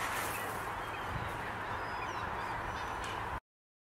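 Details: Pink-footed geese at Montrose Basin, Scotland, in October 2012, part of an autumn arrival of tens of thousands; a dense, unbroken roar of overlapping honking calls from a huge flock, cutting off abruptly near the end.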